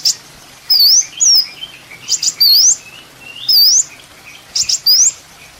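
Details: Sunbird, known as kolibri ninja, from a master recording for training songbirds: loud, very high, wavering upswept whistles spaced a second or so apart, with softer chirps between.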